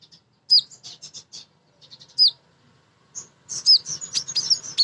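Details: Female kolibri ninja sunbird singing to provoke other birds: hooked high whistled notes followed by short chip series, then a faster tumbling run of twittering phrases.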